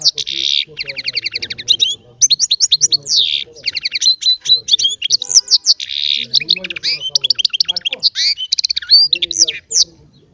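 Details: Continuous, lively song from a small Baster, the goldfinch-canary cross, singing goldfinch phrases: buzzy rattles alternate with fast, high twittering and sharp repeated chirps over ten seconds, with barely a pause.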